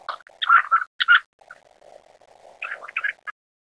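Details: Black-necked grebe (Podiceps nigricollis) giving two short bursts of squeaky, chattering notes about two seconds apart, with a low murmuring hum between them.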